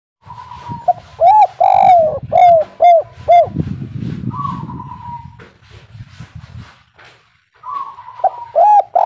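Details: Spotted dove giving a local kuk 3 style call, used as a lure so other birds answer. Soft, mellow coos arrive in a quick run, then a long steady note. After a pause another note and more coos follow, over low rumbling background noise.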